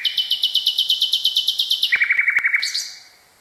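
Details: Nightingale song used for tutoring canaries: a long, fast, even stutter of high notes, then a lower, quicker rattle and a brief bright rising flourish at the end.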